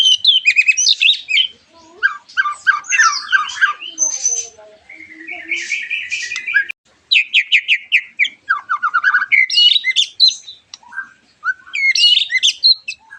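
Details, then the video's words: White-rumped shama singing as a lure for other shamas: long, varied bursts of rapid trills, buzzy chatters and clear whistles, repeated in dense phrases with brief gaps. "MURAI BATU GACORAN PANCINGAN MURAI BATU OMBYOKAN ABRAGAN AGAR IKUT NYAUT GACOR"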